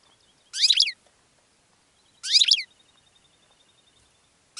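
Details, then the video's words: Goldfinch giving short, rich bursts of fast jingling twitter, repeated about every one and a half seconds, with a thin, steady, high ticking trill between phrases and a third burst beginning at the end. "GOLDFINCH SONG to ATTRACT Other Birds"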